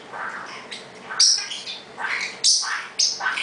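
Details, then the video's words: A male pet parrotlet asserting that he is in charge gives sharp, high chirps and buzzy squeaks in quick bursts, about three loud ones in a few seconds, while another bird mumbles and grumbles in the background. "Chaos Making Noise, Again"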